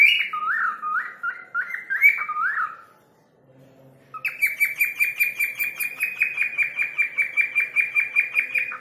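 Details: Cockatiel; mimicked whistle; imitating a person's name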